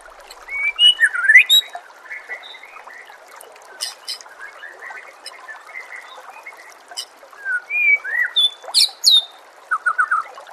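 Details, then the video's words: White-rumped shama masteran song recorded for training other shamas, with nature sounds and trickling water: varied rising and falling whistled phrases, scattered sharp high notes and a burst of quick whistles near the end over a soft watery hiss. "murai batu anda dengar suara MASTERAN burung seperti ini"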